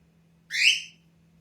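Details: Budgerigar chick at the middle nestling stage calling for attention as a pet: a single harsh, slightly rising squawk lasting about half a second, with a low hum behind.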